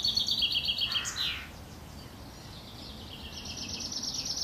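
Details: Eurasian wren nestlings begging as the mother feeds them at the nest, Worthington Lake, Standish, Wigan: a loud, rapid, high, buzzy chatter of pulsed notes lasting about a second and a half, then a quieter, thinner high twittering.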